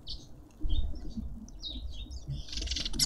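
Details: Cut-throat finches fighting for their share at a garden feeder in suburban Pretoria, South Africa: quick, thin chirps and slurred tweets in a rapid series, ending in a brief flurry of louder, scratchy notes over low traffic-like hum.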